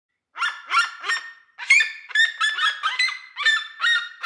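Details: A red-legged seriema singing from a house roof in countryside pasture, apparently in a duet, gives loud, harsh yelping notes, about three a second, with rising and falling barks running together in a rapid series.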